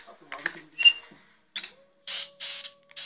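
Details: Six-month-old pet black francolin (kala titar), calling since five months of age, utters rasping, buzzy notes, ending in two longer grating bursts, over a steady low hum, with mixed indoor noises and a short whistle earlier.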